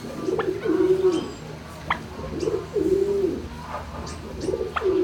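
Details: Turkeys housed in a barn, recorded 26 March 2019 shortly after noon, give drawn-out, slightly wavering calls about every second and a half, each introduced by a sharp click, over a low hum.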